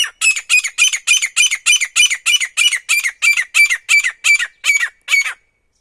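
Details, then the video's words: Single wild male grey partridge (titar), a call used for hunting: harsh, grating notes repeated steadily about three times per second for over five seconds, then stopping, with no other sounds. "Single male Titar ki shekar ki awaz jangali titar ki shekar ki awaz"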